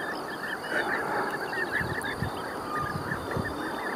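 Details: European bee-eaters back in May after their return, several birds calling: short rolling chirps, repeated and overlapping from different callers, heard over a steady outdoor background with a few low thumps.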